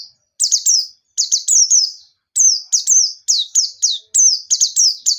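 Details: White-eye in lively forest-style ngalas song with sharp nembak bursts, used as a lure to get untrained white-eyes singing: high, thin, downslurred whistled notes in quick clusters of three to four, repeated with brief pauses, no other sounds.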